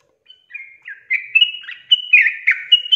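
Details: Yellow-vented bulbul singing, a recording meant to get lazy birds to sing: a soft thin opening note, then a rising string of fluty, gurgling whistles growing louder, with overlapping slurred notes toward the end.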